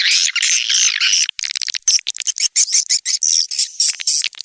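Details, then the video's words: Swiftlet-house lure recording SP Anak Gembala from Indonesia, played outdoors in Sóc Trăng and Đắk Nông, Vietnam: a continuous shrill buzzy twitter breaking into quick separate chirps and clicks. "Âm thanh nhà yến Sóc Trăng, Đắk Nông - SP Anak Gembala"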